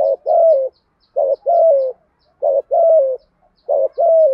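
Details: Repeated spotted dove coos, male and female in country voice, used to encourage other doves to call; four even two-note phrases a second apart, faint high ticking behind.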